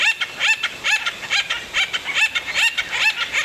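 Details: Acorn Woodpecker from Santa Barbara County: raspy, rising calls with strong overtones, repeated steadily about twice per second in a rolling series, with light background hiss.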